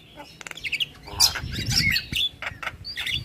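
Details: Javan myna lure song packed with fill-in phrases, meant to make other mynas answer: harsh squawks and short noisy bursts mixed with high whistled notes, over a low background rumble.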